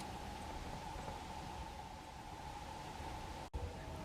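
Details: Steady rural outdoor noise with a low rumble, a constant hum and a brief dropout near the end, and no animal calls.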